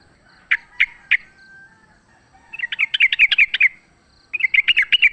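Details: Three spaced single chirps from a wild sooty-headed bulbul during a fight, followed by two longer bubbly, chattering phrases of fast notes.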